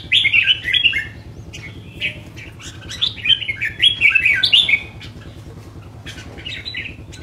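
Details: Caged red-whiskered bulbul delivering a lively, fast run of warbled, slurred whistles, with bursts of bouncing notes and brief lulls before softer phrases at the end. A low hum sits in the background.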